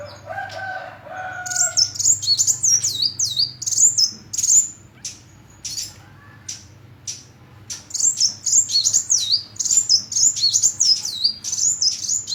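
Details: Sunbird singing long, fast runs of very high, looping zigzag notes and scattered sharp chips, after an opening of lower, wavering whistles from another bird.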